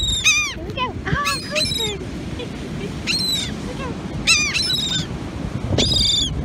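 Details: Several seagulls crowd a North Carolina beach while someone hands out raisins. Short, sharp, descending squeals come in scattered clusters about a second apart, over steady wind and breaking waves.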